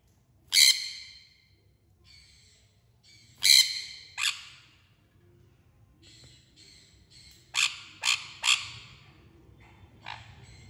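A sun conure gives loud, harsh, grating squawks in short bursts separated by pauses.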